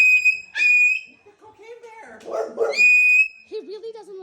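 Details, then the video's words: A pet cockatoo frightened by a bear on television gives two loud, clear, held whistles, each sliding up at the start, with a woman's soothing voice and other short sounds between them. "When your bird freaks out from Cocain Bear on tv"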